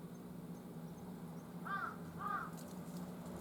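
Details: Jungle crow calling on October 18 at 11:50, two hoarse, harsh caws about half a second apart, over a steady low hum and faint outdoor background.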